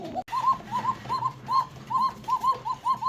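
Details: Cooker breed domestic pigeon kept on a farm in Pananagar, Bangladesh, said to coo 'ko ko' all day; rapid arched double-humped notes repeated about two and a half times per second, slightly uneven, indoors, with a brief dropout near the start.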